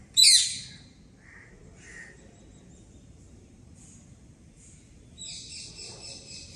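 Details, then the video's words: Bird calling from a tree on 25 January 2023: a loud harsh rasping burst opens, then two short mid-pitched chirps, a few faint thin high notes, and a closing run of rapid, stacked, metallic notes over a quiet background. "Bird Noise"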